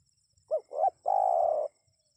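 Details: A single spotted dove phrase, played to lure wild birds into answering: two quick upswept coo notes followed by one drawn-out, steady, hoarse croon about half a second long. Faint low rumbles sit underneath.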